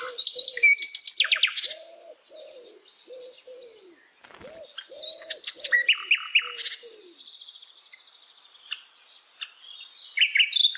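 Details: Forest flycatcher (sikatan londo) song of varied high chirps, buzzes and trills, with low repeated cooing from another bird underneath for the first seven seconds and thin whistles near the end.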